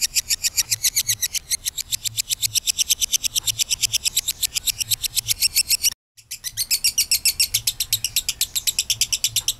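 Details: Kabayan lovebird giving a long ngekek trill, used as a lure to get other lovebirds singing: an unbroken, very fast buzzy chatter of shrill notes, about four per second, cut off briefly once and then continuing, over a faint low hum.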